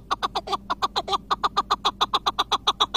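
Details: Chukar partridge, Iraqi type, noted for long singing, gives a rapid rhythmic chatter of rasping chuk syllables, evenly spaced at about four per second throughout.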